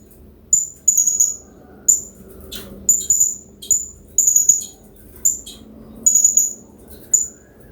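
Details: Hanging parrot known in Indonesia as serindit, native to Riau province; training song for other birds, with water in the background; rapid series of very high, sharp chirps, single and double notes about once a second, gentle water murmur underneath.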